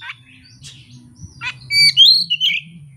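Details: Oriental magpie-robin working through its learned fill-in repertoire with no tutor or rival present; scattered short notes, then high pure whistles rising into a louder warbled phrase.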